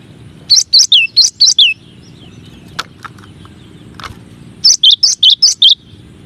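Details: Gelatik batu, or cinereous tit, singing a masteran variation: rapid series of five or six high, down-slurred whistled notes, a gap with faint clicks, then another quick series of the same notes.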